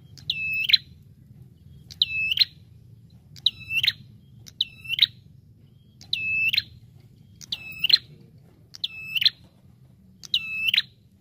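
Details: Bar-winged prinia, lively lure call: eight short, high notes repeated about every one and a half seconds, each dipping then rising at the end, against a steady low hum.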